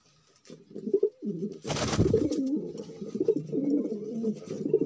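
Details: Low, throaty cooing from a male magpie domestic pigeon, rolling and bubbling in near-continuous phrases, with a brief rustle or flutter partway through, heard indoors.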